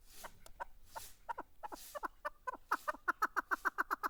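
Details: Caged chukar partridge calling: a series of clucking notes that speed up and grow louder, ending in a fast, regular rhythmic chatter of about a dozen sharp repeated notes.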